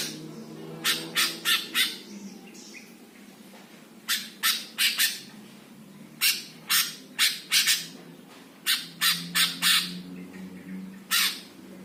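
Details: Master song of a greater green leafbird, used to rouse other birds: groups of three to five sharp, harsh squawks in quick succession, separated by short pauses, over a low steady hum.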